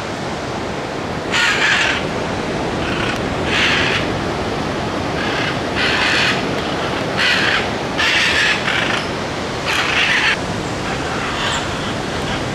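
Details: Scarlet macaws in the Corcovado forests of Costa Rica in March 2018: about eight harsh, raspy squawks spaced a second or so apart, over a steady rushing background hiss.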